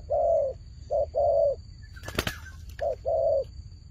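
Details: Turtle dove described as a good fighting dove, giving low hollow coos in short bursts: a long coo, a brief one, then another long one, with a second pair after a scraping rustle.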